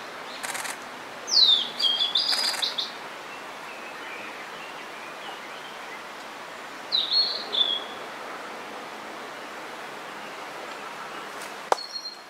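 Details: Blue-and-white flycatcher, a summer visitor newly arrived in spring, singing at Hakone, Japan: two brief, high whistled phrases with sliding notes separated by a long pause, over faint steady background noise and a few clicks.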